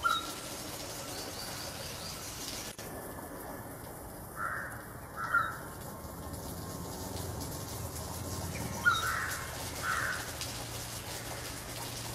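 Rufous treepie giving two pairs of short, rounded, mid-pitched notes about four seconds apart over a steady background hiss.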